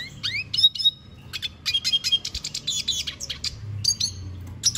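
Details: Venezuelan goldfinch producing upslurred whistles, a held high note and rapid twittering chirp series in broken phrases, high and thin, with a low background hum.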